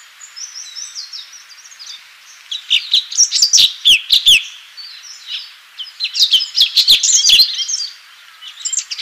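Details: Orange-bellied Leafbird (cucak cungkok) singing a 'full tembakan': soft high twitters building into loud, crowded phrases of sweeping whistles and sharp chips, then fading before a final short flourish.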